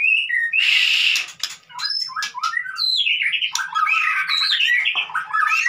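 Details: White-rumped shama, 'konslet' lure song for prompting mute shamas to sing: a harsh squawk near the start, then quick varied whistles and chattering trills running on without pause, faint low hum in the background.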